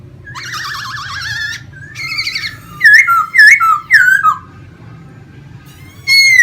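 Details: Caged laughingthrush singing while fanning out its tail in display, kept as a Vietnamese songbird. Loud, clear, wavering whistles with rapid trills and slurred downward notes come in bursts separated by short pauses. A low hum underlies the song.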